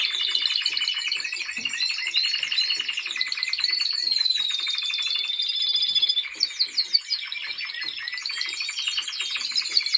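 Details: Singing Timbrado Español canary in training, recorded 2023: dense rapid trills and rolling repeated notes with a sustained whistled line, pausing briefly into spaced clicks before the trilling resumes.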